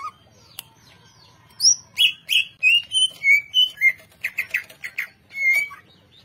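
A greater green leafbird sings a fast, varied run of sweet whistles and chirps, rising and falling between notes, about three notes per second.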